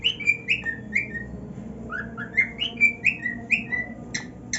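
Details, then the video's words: Happy male cockatiel on his new nest sings slurred whistles that climb and then flatten, given in short bursts about twice a second, a faint click at the end, over steady low indoor hum. "Cockatiel Singing on his New NEST | Cockatiel Singing | Happiest Bird"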